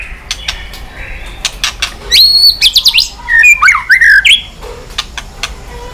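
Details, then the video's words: Aroused white-rumped shama flicking its tail on its perch, giving scattered dry clicks before a burst of high, rapid whistled phrases with sharp slurs, then falling back to isolated clicks. "chòe lửa tạch đập đuôi sàn cầu dùng kích lửa cho chòe lửa lên lửa cực nhanh hót.Chòe Lửa đánh đuôi"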